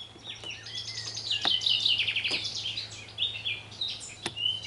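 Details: Common chaffinch singing in a garden in the afternoon: a loud descending series of bright trilled notes ending in a flourish, with other thin high chirps and a few clicks around it.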